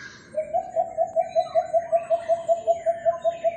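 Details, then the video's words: Philippine coucal heard in a residential neighbourhood on May 3, 2022: a steady run of about sixteen low, hollow hooting notes on one pitch, repeated quickly and evenly for roughly three seconds, with faint bird chatter behind. "The Call of Philippine Coucals"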